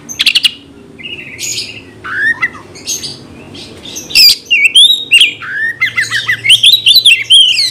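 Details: Oriental magpie-robin singing continuously, played to provoke a fighting response from other magpie-robins. Sharp clicks open a varied run of whistled phrases: downward slurs, rising notes and a fast, rippling high warble near the end, nearly two phrases per second.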